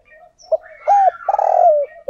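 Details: Decoy spotted dove calling to lure wild doves. A short burst of cooing: soft low murmur, a clipped note, a smooth coo, then a long buzzy coo sliding downward.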